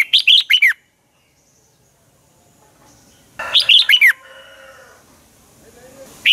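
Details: Red-whiskered bulbul singing a dueling song for use as a lure bird: short bursts of quick, slurred whistled notes falling in pitch, with a long quiet stretch and soft background tones between them.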